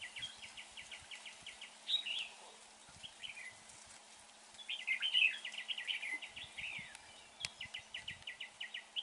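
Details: Red-whiskered bulbul in a trapping session: quick trains of short repeated chirps, a pause, then louder tangled whistled phrases and more rapid chirp series, with a soft low hum and clicks.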